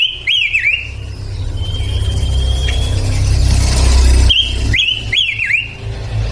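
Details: Energetic song of a male pancawarna bird: bursts of sharp up-and-down zigzag whistles at the start and end, with a long level whistle between, all over a heavy low rumble like passing traffic.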